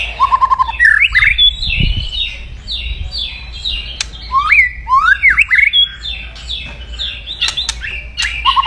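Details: White-rumped shama crackling aggressively to provoke rivals: a short low rattle, then a long series of varied whistled and slurred notes, fast-paced and loud, ending with another low rattle.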